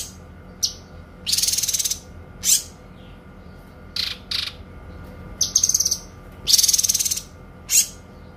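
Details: Kinoi singing clear, long bursts as a tutor recording for songbirds: high thin chips, rasping buzzy phrases and fast pulsed trills come in varied bursts of about half a second, with short gaps between them.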